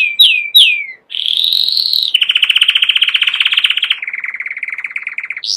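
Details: Two swooping whistled notes from a canary, then a rising buzzy trill, a dense pulsed roll and a lower even rattle, closing on an upward slur.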